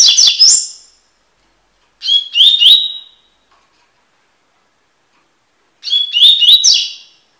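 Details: Double-collared seedeater singing the "tui tui" song style, in a recording meant for song tutoring. Three short phrases come about two to four seconds apart, each a high, clear whistle sliding into rapid buzzy, chattering notes. The background is otherwise silent.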